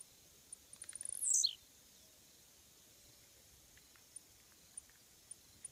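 A Blue-black Grassquit gives one quick, high buzzy note that sweeps sharply downward, followed by a few faint, spaced ticks against quiet background hiss.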